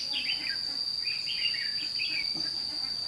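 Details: Red-whiskered bulbul kept as a lure to attract wild birds, recorded during trapping at Thanh Liem on 29 May 2016. Several short, slurred whistled phrases sound through a continuous piercing insect tone.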